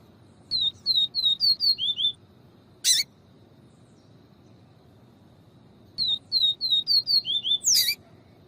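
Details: Double-collared Seedeater singing in the viviti style: a phrase of about eight rapid, evenly spaced slurred whistles dropping to two lower notes. A sharp click follows, then the phrase repeats.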